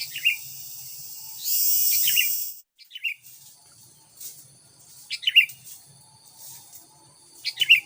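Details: Sooty-headed bulbul lure song for attracting wild bulbuls: short bright chirpy phrases, two or three quick notes each, spaced irregularly, with a burst of broad hissing noise early on and steady high tones in the background.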